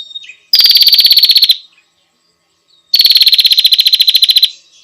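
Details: Two long, rapid, high-pitched rattling trills from a female bar-winged prinia calling the male, roughly one and one and a half seconds long, with a silent gap between.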